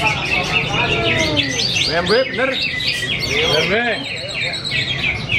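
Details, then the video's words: Contest-winning greater green leafbird singing at a competition in Yogyakarta, Indonesia. It gives a loud, varied outpouring of sweeping whistled notes and repeated arched phrases over a background of other singing birds and people. "CUCAK HIJAU"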